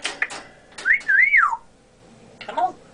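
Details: Pet African grey parrot known for mimicking speech and burping, indoors. A wavering, warbled whistle glides up and down, framed by short harsh clicks and rough chatter, with a person speaking nearby.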